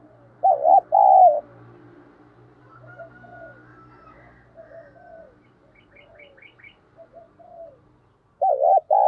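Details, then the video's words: {'caption': 'Decoy spotted dove cooing to lure and provoke wild doves. Two loud double-then-long coo phrases are separated by quieter distant coos and brief high chirps, over a steady low background hum.'} "Chim Cu Mồi thúc đấu, cu gay kich boi nhanh noi"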